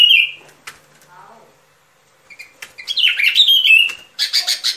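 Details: Sooty-headed bulbul song for luring birds into traps: one opening whistled note, soft low notes, then a rising flurry of slurred whistles that ends in rapid buzzy chatter.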